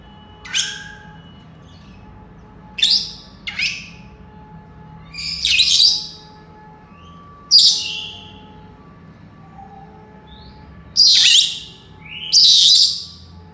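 A Senegal parrot gives about seven sharp, shrill whistles and squawks, each under a second long and spaced one to two seconds apart, over a faint steady hum.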